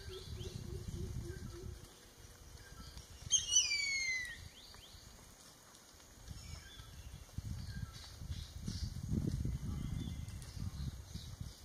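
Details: A newly fledged Jerdon's Baza, one of three fledglings from a nest in Kaeng Krachan National Park, Thailand, 13 July 2021, gives one high thin squeal sliding steeply down over insect drone and low rumble.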